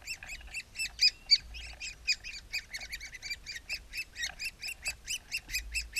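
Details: Woodpecker at the nest producing loud, rapid, harsh notes, nearly four a second, slightly irregular in volume, over faint low rumbling.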